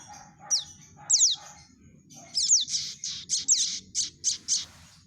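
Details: Calling prinia chicks, a lure for trapping: a few thin down-slurred chirps, then a rapid series of harsher, buzzy high notes in close succession; faint lower tones and background hum.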